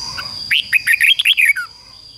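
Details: Decoy red-whiskered bulbul singing to attract and challenge wild rivals: a single fast, rollicking phrase of around eight clear whistles ending in a falling slur, above a constant high-pitched whine.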